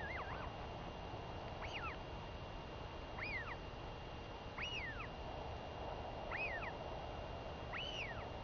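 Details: Northern royal albatross chick begging as her mother comes home to feed her, 23 May 2021; regular rising-then-falling squealed calls about every one and a half seconds, clear above a constant hiss.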